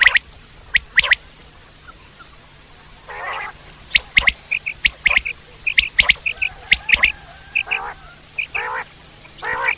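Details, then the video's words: Wild common quail giving sharp, clipped triple-note phrases in quick series, interspersed with softer nasal, wavering bursts from another caller against a quiet background. "Common quail sounds"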